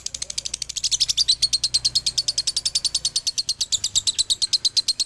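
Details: Male lovebird from Galendo, Ciamis, singing a fast doubled song (dobelan): rapid, evenly repeated high-pitched chattering notes, roughly seven to eight per second, sharp and metallic, continuing throughout with no other sounds.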